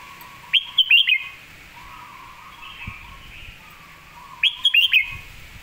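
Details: Model song of a red-whiskered bulbul for training birds: a crisp phrase of five or six lilting whistled notes, repeated after about four seconds, with softer warbling from other birds between.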